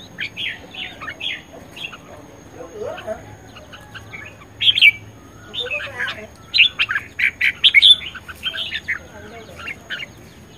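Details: Red-whiskered bulbul in fighting song, a caged bird described as fired up and ready for competition: rapid bursts of bright warbled, chirping notes in clustered phrases, loudest near the end, over a soft low background hum.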